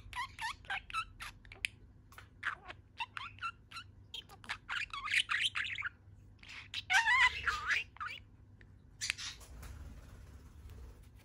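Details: Budgerigar in a good mood, standing on one leg, keeps up a long, fast chatter of buzzy warbled notes and sharp clicks, pausing briefly near the middle and again before a final scratchy burst.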